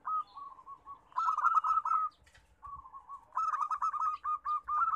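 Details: {'caption': 'Busy local zebra dove singing, played as a lure for birds that rarely sing: steady low rolling coos, then louder bursts of quick pulsed notes, a brief lull, and more rhythmic cooing phrases with faint high twitters above.'}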